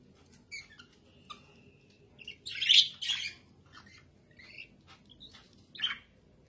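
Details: Caged budgerigar twittering: scattered high chirps and one louder scratchy warble in the middle, against a faint steady background hum.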